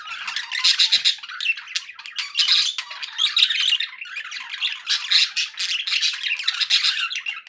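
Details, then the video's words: A flock of happy pet budgies warbles and squawks nonstop, loud rasping chirps rising and falling in quick pulses over nearly eight seconds of continuous chatter. "happy budgie sounds"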